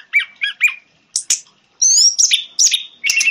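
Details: Three short paired whistled notes from an orange-headed thrush, followed by a brief pause and then a burst of higher slurred whistles and chirps, played as lure audio to coax a non-singing bird.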